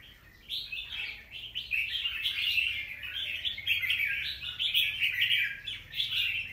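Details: Wild-caught young red-whiskered bulbul, recorded 25 December 2023, singing a busy, continuous run of chirpy, warbled notes that rise and fall, with brief pauses between phrases.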